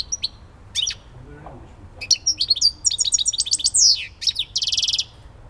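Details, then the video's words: Goldfinch, Elbasan, singing: a few scattered chirps, then after two seconds a rapid burst of metallic twittering notes, downslurred whistles and a dense buzzy trill at the end. "civit elbasani"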